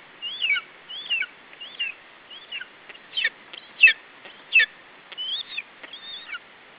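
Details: Lesser spotted eagle chick at a nest in Estonia, defending its food against an adult, 21 July 2012, late afternoon; high, squealing calls with bent, slurred notes, about eighty a minute in uneven bursts, with faint clicks between.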